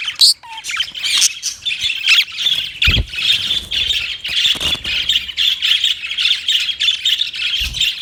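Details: Budgies in loud, steady harsh chatter, a continuous stream of raspy squawks lasting several seconds, with a few low knocks.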